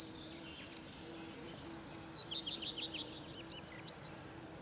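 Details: European robin in a fir tree at morning, delivering soft, high tinkling trills and short slurred whistles in quick succession over a steady low hum.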